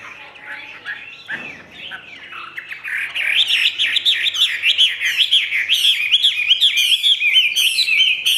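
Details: Cage-kept Chinese hwamei offered for sale, singing in the "ngũ trường" style: soft, scattered whistles first, then after three seconds a loud, fast stream of rippling, wavering notes with crisp high accents.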